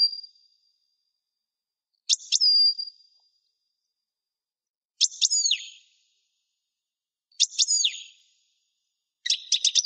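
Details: Kept European goldfinch giving separate short calls about every two to three seconds, each a quick cluster of sharp high notes ending in a thin falling or level whistled tail; no other sounds, silence between.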